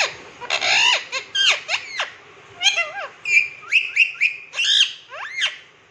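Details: Rose-ringed parakeet kept in a cage, talking in Hindi, "miya mithu", with quick squeaky gliding syllables, bursts of harsh chattering and repeated shrill notes in short phrases.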